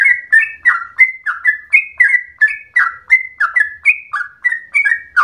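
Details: Vigorous long-rolling song of a yellow-vented bulbul (trucukan), said to sound like a straw-headed bulbul; rapid chain of liquid whistled notes, each dropping in pitch, alternating higher and lower phrases at about three per second, faint low thumps beneath.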